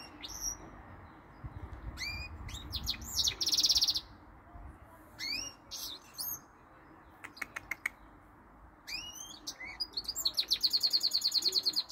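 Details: Song of a goldfinch and canary mule that sings all day: varied twittering phrases of sharp chirps and slurred whistles separated by short gaps, ending in a long rapid rattling trill.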